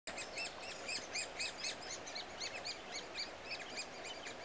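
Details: Great spotted woodpecker young being fed keep up a high, shrill chattering of overlapping chirps, about four a second, over a soft rural background hiss.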